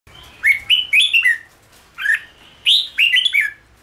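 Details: Red-whiskered bulbul being trained to sing: short bursts of bright, slurred whistled notes, rising then falling, grouped in quick phrases of three to four notes with brief pauses between.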